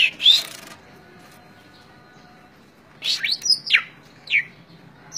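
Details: Caged greater green leafbird from Indonesia, giving a brief harsh note, then after a pause a cluster of sharp slurred whistles and a final short note.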